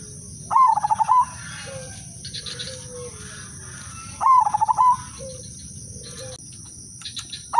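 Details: Zebra dove (perkutut/merbok), udanmas silver type, sings a lure song so other doves join in. Two loud, rapid, stuttering cooing phrases come about four seconds apart, with faint softer notes between them.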